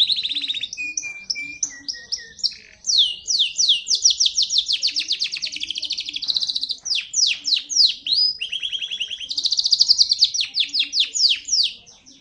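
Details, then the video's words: Local island canary pouring out a long song: an opening whistle, lower held tones, then long runs of fast descending swept notes and rolling trills that change pattern every few seconds. "تغريد كنار جزري بلدي"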